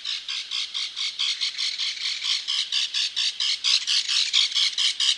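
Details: Wisconsin belted kingfisher rattling: a steady run of harsh, grating notes, roughly two per second, broad and raspy, continuing unbroken through five seconds.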